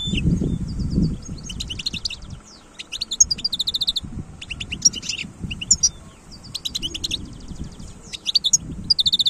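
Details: Wild European goldfinch pouring out a long run of chattering, buzzy trills and sweet high twitters in successive phrases, over low background noise.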